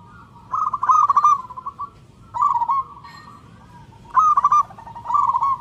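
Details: Loud, vigorous zebra dove of a local type seeking a mate, giving three separate phrases: each opens with a quick rolling burst of stuttered coos, then eases into a softer, slightly lower trailing coo.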